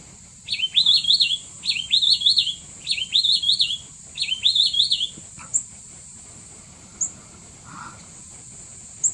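Mishmi wren-babbler giving a high, warbling phrase four times, about once a second, then a few scattered thin chips; a steady high insect-like hiss runs throughout.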